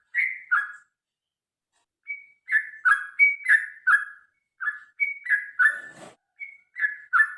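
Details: Sooty-headed bulbul (trucukan) fighting-style song for prompting birds to sing: groups of paired liquid whistles, high then low, repeated in short bursts separated by brief silences, with one faint rustling noise.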